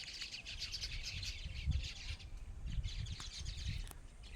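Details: Birds chirping: dense, overlapping high twittering notes in quick bursts throughout, over a steady low rumble of background noise.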